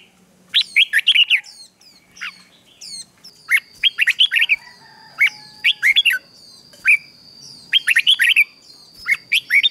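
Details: Red-whiskered bulbul morning song used to train wild-caught birds and spur them into fierce competitive singing. Bright warbled phrases come in rapid clusters about once a second, over a steady thin high tone and a faint low hum early on.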